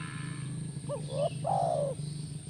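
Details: A single spotted dove phrase, played to coax a caged spotted dove into answering: two quick, upward-bending notes, then a long coo sliding downward, over a steady low rumble.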